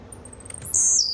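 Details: Blue-black grassquit song: a few faint high ticks, then one loud, buzzy, very high burst that sweeps downward and ends in under half a second.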